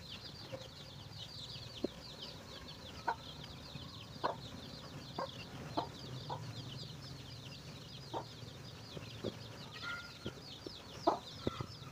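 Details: Chicken finding food for its young, original recording: constant thin high peeping throughout, punctuated by crisp short clucks or taps roughly every second.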